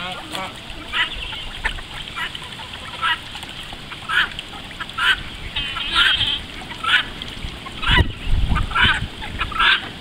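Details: Call ducks heading out for a morning swim, calling in scattered bursts of loud, raspy quacks about once a second, some in short runs, with a splash near the end.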